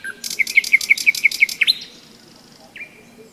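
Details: Nightingale trill in May, recorded during a hike along the Seversky Donets: about ten loud, rapidly repeated hard notes, then a sustained high whistle and a single rising slur.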